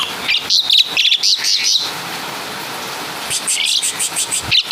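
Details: Asian pied starling from Java imitating caladi and kapas tembak calls: quick bursts of high chirping notes, a short gap of noisy hiss, then another burst of rapid chirps.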